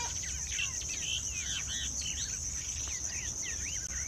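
Striated babblers chatter in a busy jumble of quick, squeaky, slurred notes, several birds overlapping. A steady high insect drone and low background rumble run throughout.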